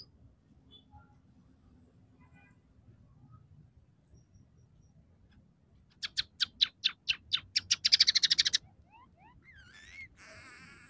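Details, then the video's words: A scaly-breasted munia sings sparrow, red siskin and canary fill-ins. After several seconds of faint hiss, a sudden run of evenly spaced chirps speeds into a buzzy trill, followed by a few slurred whistles. "suara burung emprit peking gacor dengan tiga variasi lagu"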